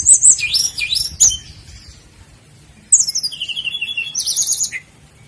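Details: Sikatan londo flycatcher singing for caged-bird training: two rich phrases of very high warbled whistles and trills with a falling note, separated by a short silence, background quiet.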